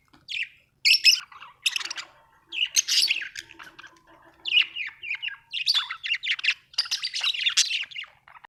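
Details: Budgerigar chattering in quick runs of sharp, high, squeaky and scratchy notes, nearly continuous toward the end, on a quiet background.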